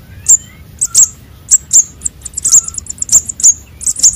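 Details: Young sunbirds, konin and sogon, calling in a recording used as a lure for catching birds. Very high, thin chips come singly and in quick clusters, some as short rapid runs near the end, over a faint low hum.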